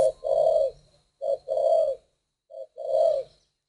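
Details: Spotted dove from northern Vietnam, a captive bird kept by a breeder, cooing: low, mellow hooted notes in a repeated pattern of short and long coos, with a soft hum in the background.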